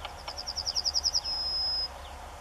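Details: UK yellowhammer singing, captured on a Canon SX50HS: a rapid series of a dozen or so identical high chipping notes, then a sustained level whistle held for over half a second, with faint low background rumble.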